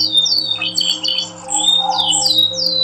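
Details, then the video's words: Yorkshire canary singing, used as training song for other canaries: a loud run of clear whistled notes sweeping down from high pitch, repeated in quick phrases, over a steady low electrical hum. "Yorkshire Canary Singing Vol.1 -ONE OF THE BEST CANARY TRAINING SOUND"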